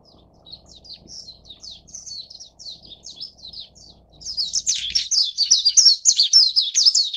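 Japanese white-eye chicks give thin, high chirps about twice a second, then erupt into a loud, rapid chorus of shrill begging notes as food arrives.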